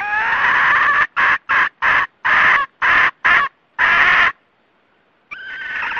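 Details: Paired male and female red junglefowl giving flock-gathering calls, used to lure birds into traps. Strong clipped cackling bursts repeat in quick succession, then a pause of near silence before another harsh call begins.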